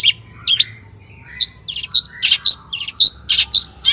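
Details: Long-tailed shrike singing in a lively, high-energy lure recording meant to make other shrikes sing. It gives scattered sharp chirps and short harsh notes at irregular intervals, with faint background hum.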